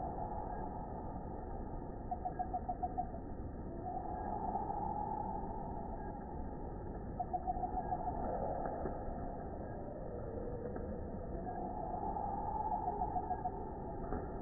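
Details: Long-billed hermit hummingbird call recorded in Costa Rica, slowed to 12.5% speed: brief bursts of rapid low ticking notes about every five seconds, over a steady background hiss and rumble.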